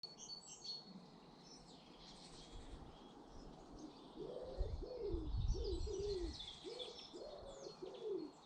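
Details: British garden birds: a run of low, hollow cooing phrases repeated in quick succession in the second half, with thin high chirps and twitters scattered above and a soft rumble of background noise.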